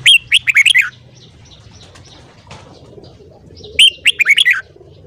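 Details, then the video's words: Red-whiskered bulbul singing in the morning during voice training: two lively phrases of five or six clear, warbled whistles each, about three seconds apart, separated by quiet with faint rustling. "Luyện giọng chào mào hót sáng"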